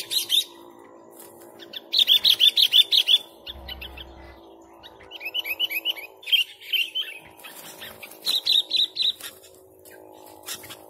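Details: Sooty-headed bulbul in full, vigorous song for luring: several bursts of fast, even chirps, roughly six to eight notes each, separated by short gaps, some notes slurring upward, over a faint steady hum.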